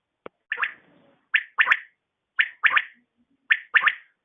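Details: Female quail calling in the morning: loud, harsh, rasping notes, mostly single or closely paired, repeated about once a second against a silent background, with one short click at the start.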